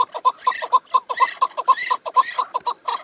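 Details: A loud chukar partridge gives a rapid, rhythmic series of throaty chuck notes, about two per second, with raspy chukar-like phrases mixed in among the clucks.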